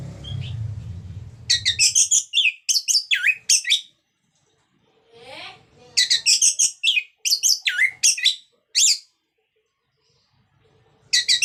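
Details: Orange-headed thrush singing in lively ngeplong fashion, intended to prompt reluctant birds to sing: two dense bursts of loud, varied, chattering phrases separated by a few quiet seconds with a faint soft sound.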